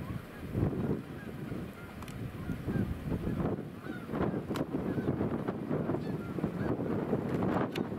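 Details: Tons of geese giving loud honks, short nasal calls repeated in rapid, overlapping bursts over a low wind rumble.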